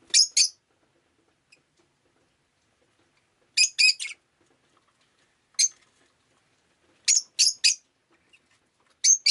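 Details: Rainy-day recording of a pet rosy-faced lovebird: bursts of two or three sharp, piercing chirps come in clusters every one to two seconds against near silence.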